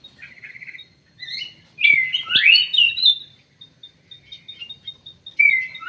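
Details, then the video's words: Emprit sawah munia calls: a short buzzy trill, then a burst of loud rising, sliding chirps, followed by quieter high ticks and a final sharp downward-sliding note. "burung emprit sawah, emprit kji"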